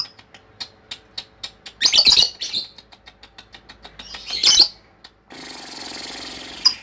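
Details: Lovebird ngekek chatter: two harsh, noisy squawking bursts amid soft regular clicks, followed by a steady hissing wash of noise and one final sharp squeak.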